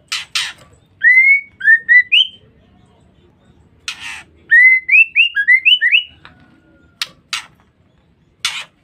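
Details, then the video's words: Female white-rumped shama ngeriwik call, used to provoke males. Two runs of clear rising whistles, one short and one longer, are set among sharp clicking and rasping bursts. "Pancingan Suara Murai Batu Betina"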